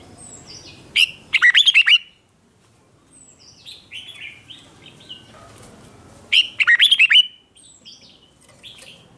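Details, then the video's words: Red-whiskered bulbul in fired-up fighting song, wild-caught, meant to provoke others: two loud bursts of quick, bubbling warbled notes with softer thin whistles in between. "Kích Chào Mào Hót Ché/ Kích Chào Mào Bổi Hót Đấu Mới Nhất"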